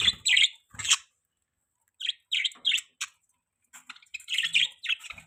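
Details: Budgies chirping in short separate bursts of bright, twittering notes with silent gaps between, ending in a livelier cluster of warbles.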